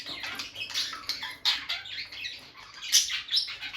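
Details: Bonded peach-faced lovebird couple sharing close moments by the nest box as the female comes and goes. Loud, busy high chattering with shrill chirps and squeaks in quick uneven bursts.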